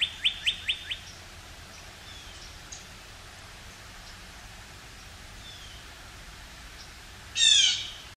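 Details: Northern cardinal, a male, singing high in a pine tree first thing in the morning as a sign of spring: four quick, clear downslurred whistles in the opening second, a few faint notes afterward, then a loud rustling burst near the end.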